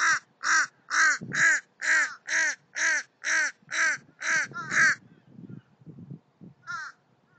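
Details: Young American crows practising alarm calls, giving a fast run of eleven harsh caws over five seconds, then a pause and a single softer caw near the end.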